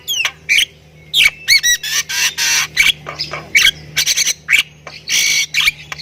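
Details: Thai Javan myna singing with many fills. Harsh rasping bursts alternate with squeaky chirps and stacked whistles over a steady low hum.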